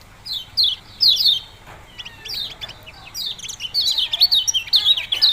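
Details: Yellow-bellied prinia giving sharp, high, downslurred chirps, first as scattered single notes, then a faster run of closely spaced notes near the end.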